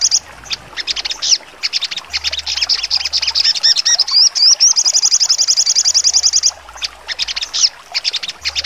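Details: High-pitched chattering from a sogon in full trotol song, recorded as training material for contest birds, building through twittering phrases into a long rapid trill of sharp notes, then scattered chips.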